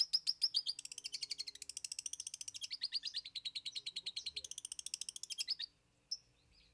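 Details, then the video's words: Long-tailed shrike (cendet) singing 'isian' filler song: a long, rapid, chattering trill of clipped high notes lasting over five seconds, wavering in pitch, then a pause and one final chip. "Cendet Bongkar 3 Isian"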